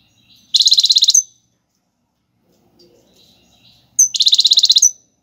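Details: European goldfinch singing the Algerian tiwawati galloubi and serfati song styles, played for teaching young birds; two high, rapid buzzy trills of about a dozen evenly repeated notes each, separated by three seconds of near quiet with faint chirps.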